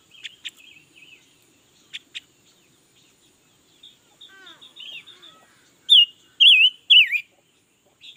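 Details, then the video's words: Red-billed leiothrix singing all day, soft scattered chirps and short rising notes at first, then three loud, wavy, slurred whistled phrases near the end. "Suab noog nrheeb tshiab quaj lam lug le || Ngũ sắc mới hót cả ngày luôn"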